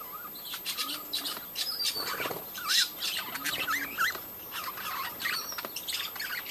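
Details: Budgerigars in a breeding colony chattering: many overlapping warbled and squeaky notes, quick rising and falling twitters, with occasional taps and rustles in the background.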